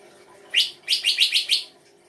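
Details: Songbird from Indonesian kicaumania songbird keeping, giving an 'isian' song phrase: one bright chirp, then four rapid, evenly spaced, ringing notes in a quick burst, over a soft background hum.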